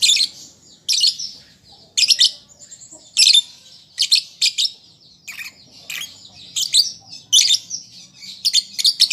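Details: Young lovebird practising calls for use as a lure: harsh, high chirps delivered singly or in pairs at roughly one-second intervals, with softer twittering notes between them.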